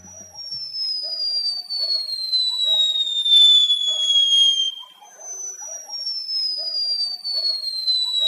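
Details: A Sharpbill, likely a male in breeding season marking territory and attracting females, gives a long, thin, metallic whistle sliding steadily downward for about five seconds like a falling bomb or whistling kettle, then again; faint other birds below.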